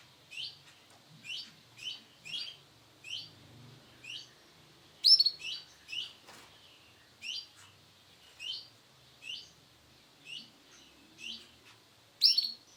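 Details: Sunkist-coloured male canary uttering crisp, high chirps in a steady series about one per second, with a few louder, sharper notes, over a quiet background with light rustling.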